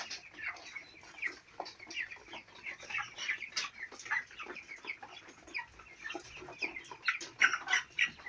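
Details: Four-week-old domestic chicks on a farm, many birds together: a dense, overlapping chorus of high, short peeps and chirps, rapid and irregular, some slightly louder notes toward the end, with faint scuffling beneath.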